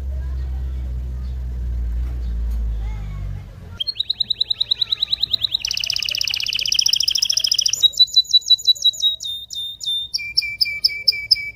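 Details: Canary song for stimulating mating: after low background noise, a rapid trill begins, shifts into a louder buzzy double-pitched trill, then clipped notes and a lower series of short repeated notes.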